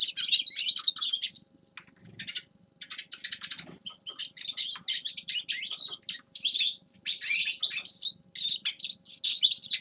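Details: Song of the grey-crowned goldfinch: bursts of tumbling, twittering chirps and buzzy trills, separated by short gaps, continuing for around ten seconds, with a faint steady low hum underneath.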